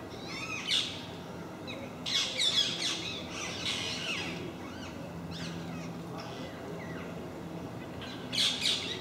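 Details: A group of parakeets that regularly visit a park in MK gives harsh, grating screeches in quick overlapping bursts, several birds calling over one another against a low background hum.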